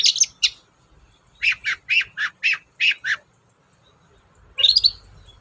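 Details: Long-tailed shrike kept as a songbird, sung as a lure to set other shrikes singing: a harsh opening burst, then six rasping, squawky notes about a quarter second apart, ending in a rising scratchy flourish.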